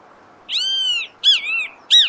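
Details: Great Kiskadee (Bem-te-vi) recorded in nature in Brazil: a loud, strident note with rich harmonics, held about half a second with a slight arch, then a two-part clipped call and the start of a third, over a quiet background.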